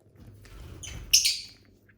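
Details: A single loud, harsh lovebird chirp from a flock of pet birds, preceded by soft shuffling and a faint squeak.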